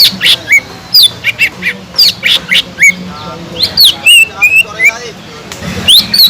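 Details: Green leafbird (cucak ijo) in full song, used as a lure to stir up other leafbirds lacking fire: loud rapid whistled arcs and downslurs, sharp squeaky notes interspersed, low hum underneath.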